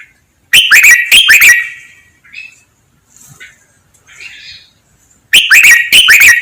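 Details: Training song of a red-whiskered bulbul, double-2 counted-note "lak wai" master pattern: a burst of four sharp, ringing whistled notes, a pause with faint soft twitters, then another loud burst of rapid notes.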